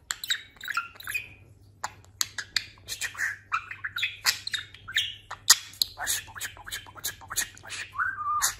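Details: Talking pet budgerigar, recently moulted and grown plump, in a dense, continuous warbling chatter of squeaky, buzzy notes and rapid chirps with short whistled slides, almost without pause.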